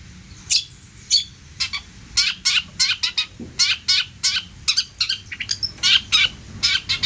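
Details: Lively long-tailed shrike song full of varied fill-ins, for tutoring birds: crisp scratchy chirps and sharp clicks in quickening bursts, scattered sweet high notes, occasionally pausing briefly.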